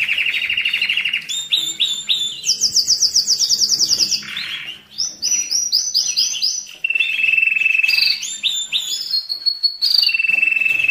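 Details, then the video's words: Excited canary song for stimulating mating and teaching chicks: a varied sequence of fast trills jumping between pitches, lower buzzy rolls, very high tinkling runs and short whistled notes, loud throughout with brief pauses. "تغريد الكناري للتسميع في مرحلة القلش و الراحة"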